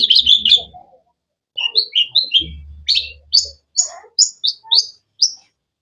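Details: Cendet (long-tailed shrike) chirping: a scratchy opening burst, then a series of clear, sharp whistled notes that step upward in pitch, with a low hum briefly underneath.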